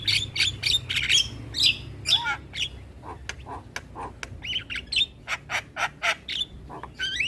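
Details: Asian pied starling song used as a morning lesson for young birds: rapid harsh notes about two per second, gurgling lower calls and a rising whistle to close, faint hum behind.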